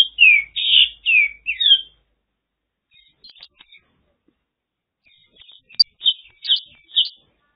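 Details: Mongolian lark, China, opens with four loud, downward-slurred chirps in quick succession, then falls to scattered faint, sharp notes before a few clearer clicks and chirps return near the end.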